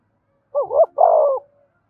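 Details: Spotted dove cooing to lure other doves: one clear two-part coo, a short warbled opening phrase followed by a longer, steadier, slightly falling note, in near silence.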